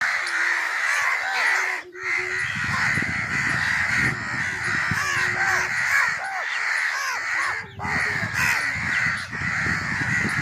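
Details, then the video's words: Crows calling, used to attract other crows: dense overlapping harsh caws from many birds, nearly continuous with brief pauses near two and eight seconds, plus low rumbling noise underneath. "Crow sounds to attract crows"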